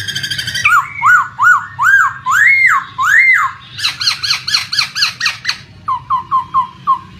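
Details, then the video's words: Laughingthrush song played to trigger silent birds to sing: a series of loud arched whistled notes, then a rapid run of harsh ringing notes and a quicker string of short downslurred whistles, with water running behind. "SUARA PANCINGAN POKSAY MACET BUNYI"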